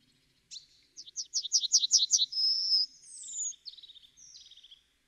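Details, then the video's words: One Yellowhammer song: a rattling string of high repeated notes, a long level note, then a higher slurred note followed by softer buzzy trailing notes. Faint low background sounds. "The song of the Yellowhammer"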